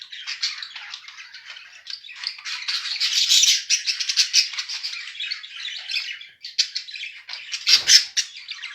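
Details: Mated pet budgerigars chattering: steady raspy warbles and chirps building to loud bursts midway, a brief gap, then more calls with a soft thud.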